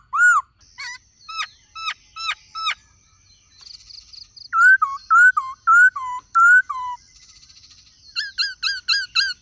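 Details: Black-throated laughingthrush song in varied voices with a female calling, used to prompt captive birds to sing: bursts of sharp descending notes, then loud rising whistles repeated about every half second, ending in a fast series of looped whistles.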